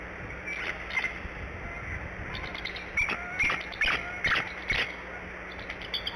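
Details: Adult female Bald Eagle sitting on eggs at the Decorah nest calls for her mate to take the morning shift: irregular high, squealing notes, a couple early, then a denser run of five or six after a pause.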